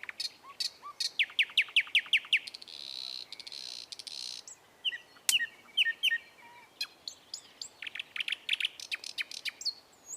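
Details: Sparrows eating food and chirping: runs of short, sharp, high chirps given in quick bursts, broken by a brief hissing rush of noise, then further rapid chirp series and scattered single notes.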